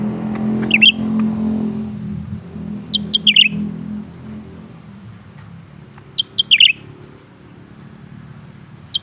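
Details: Caged lesser green leafbird, fed crickets and bananas, in steady song: high piping notes leading into a bright twittering burst, heard three times at intervals of about three seconds above a low droning background.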